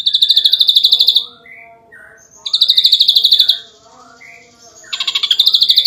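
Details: Ashy drongo delivering repeated 'nembak rapat' volleys: three loud, fast trills of sharp high notes, each about a second long, separated by softer warbled and whistled phrases.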